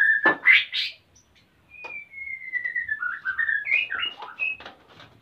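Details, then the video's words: White-rumped shama male in breeding condition seeking a mate while the female nests, Salaman, Magelang, Central Java; loud opening notes, then a long drawn-out falling whistle followed by quick varied warbles. "MURAI BATU JANTAN SUDAH BIRAHI DAN MINTA KAWIN !!!"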